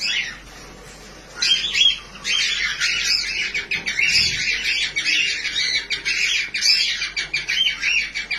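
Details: Several cockatiels singing happily, a near-silent start giving way at about 1.5 seconds to dense, continuous chattering of harsh chirps and squawks overlapping from many birds, steady through to the end.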